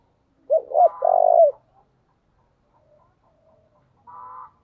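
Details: Spotted dove calling as a decoy: one loud low phrase of quick arched coos and a long sustained note, followed by near silence and a faint higher, buzzy note near the end.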